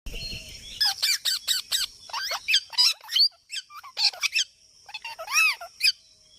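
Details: Parrot giving a rapid series of short, harsh squawks and chattering notes, loud bursts separated by brief pauses, ending with a ringing, wavering squawk.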